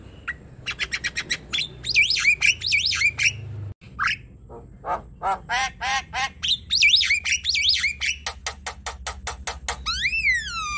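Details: Javan myna in chattering song, used to coax a quiet bird into singing: rapid clicking pulses alternating with looping, wavering whistles and harsh notes, a brief gap near four seconds, ending in a long descending squealed whistle.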